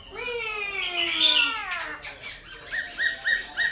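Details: A Silver-eared laughingthrush (Trochalopteron melanostigma) sings a forest-style song: a rich, rolling whistled phrase that slides downward, followed by a quick series of short repeated chirping notes.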